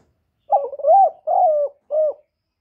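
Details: Spotted dove cooing to lure and stimulate other doves. Three low, mellow coo phrases: a short broken opening note runs into a longer wavering hoot, then a final separate short coo. The background is clean and quiet.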